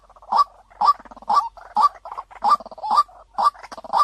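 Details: Clear-toned lure call of a white-breasted waterhen, played to attract others: strong croaking 'kwak' notes about twice per second, separated by softer rapid chattering and bubbling notes.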